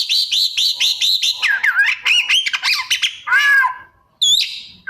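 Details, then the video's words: Oriental magpie-robin (kacer) singing vigorously and unloading its mimicked 'isian' phrases: a rapid run of about ten repeated high chirps, then varied warbled, bending notes and a loud rising slur. "Cara Jitu Membuat Suara Kacer Gacor Rajin Bongkar Isian - 99% Burung Kacer Isian Mewah"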